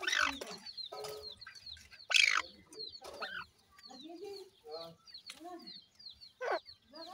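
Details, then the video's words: Feeding time for reared partridge chicks: busy overlapping high peeps slurring downward, mixed with lower rising chirrups and noisy bursts of scratching and pecking. "grey pheasant white chicks,partridge bird baby feeding time"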